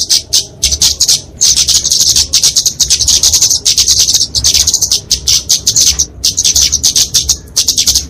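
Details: Flowerpecker fighting song, known locally as kemade, used as tutor and lure for small birds: thin, rapid, high ticking twitters in long dense passages with only brief gaps.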